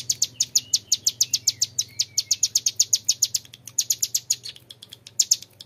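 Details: Young mountain prinia with clear, long ngebren song: an even, rapid rattle of high piercing notes about six per second, briefly broken, then resuming.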